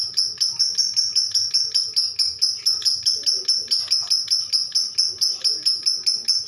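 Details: Lovebird giving a long ngekek trill: shrill, high, chattering bursts repeated about four times a second, steady and unbroken throughout, with faint low background noise.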